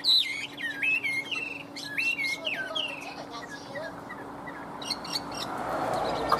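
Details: Caged Chinese hwamei: bright zigzag whistled phrases in the first three seconds, fading into softer notes and then rustling noise.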